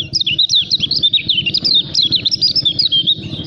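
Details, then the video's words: Lemon-bellied white-eye in full song, a contest-prospect caged bird: loud, continuous high chattering of quick down-slurred chirps tumbling over one another, with a low murmur beneath. "KECIAL KUNING SUPER NGEJOS"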